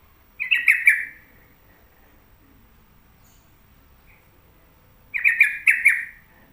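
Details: Caged sooty-headed bulbul at home producing two scratchy, stuttering bursts of rapid descending notes, separated by nearly four seconds of near silence.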